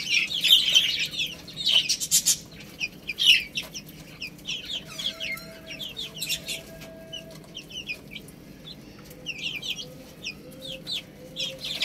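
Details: Several chicks eating rice give high, thin peeps in overlapping bursts, loudest early on, then sparser, with sharp pecking clicks between calls and a faint steady hum underneath.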